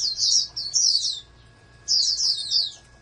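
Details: Oriental white-eye from a breeding setup, groomed as a future national champion, gives two quick high-pitched twittered phrases, then a short silence and another sweeping burst of thin chirps.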